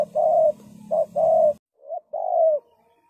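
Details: Lure spotted dove for ground trapping calls in deep, hollow coos: a short note then a longer one, repeated, with a quieter, cleaner coo phrase after a break.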